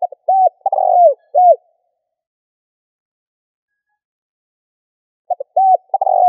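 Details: Spotted dove cooing as a lure to rouse a decoy bird. One full phrase of brief hooting notes and a rolling descending coo, then a long pause before the next phrase begins near the end; no other sounds.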